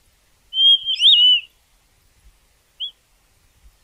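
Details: Gray Monjita from Argentina: a clear whistled phrase, steady then wavering and slurred, lasting about a second, followed by a single short whistled note after a pause; otherwise quiet.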